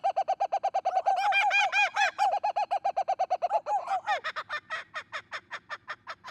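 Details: A female captive laughing kookaburra at a zoo in the morning, at breakfast, gives the territorial laughing call: a rapid, rolling run of harsh hooting notes swelling into raucous cackling, then slowing and fading into separate chuckles.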